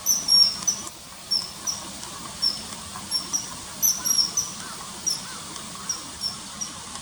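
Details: Common kingfisher calls, added separately to river footage from early September 2020 of a bird hovering and catching small fish: thin, sharp high whistles repeated in quick irregular series, with a steady hiss beneath.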